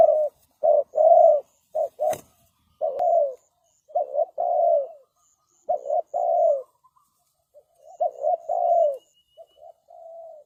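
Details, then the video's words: Spotted dove calling as a decoy to lure birds: paired short and longer soft coos in repeated phrases, with a sharp click partway through and faint high chirps of other birds in the background. "The Sound Of Spotted Dove is good"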